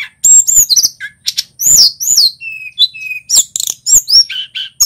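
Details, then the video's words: A local male Tledekan Gunung sings a lively high-pitched song, used as a lure recording for other songbirds. It has fast chirps, curving whistled notes and a few flat, steady whistles, all delivered in quick bursts. "Suara Burung Tledekan Gunung GACOR"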